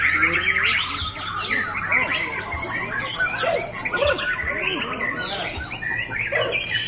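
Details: White-rumped shama performing in a single spot with little display, delivering its repertoire: rapid, crowded run of high chirps, buzzy squawks and short sliding whistles with no pauses, over a low steady hum.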